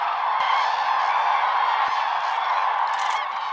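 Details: Massed common cranes trumpeting their fanfares at dawn on Lake Hornborga, shortly before the sun rises; a thick, unbroken wall of rolling, bugling calls from a great many birds.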